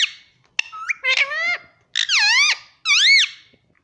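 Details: Talking pet Indian ringneck parrot indoors; squeaky, wavering high notes with rich overtones, several drawn-out slurred sounds rising and dipping in pitch, in three or four close bursts.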